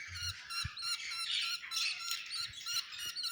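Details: Continuous budgerigar squawking and chirping, linked to egg hatching, with layered, buzzy harmonic calls from several birds overlapping without pause and faint background noise.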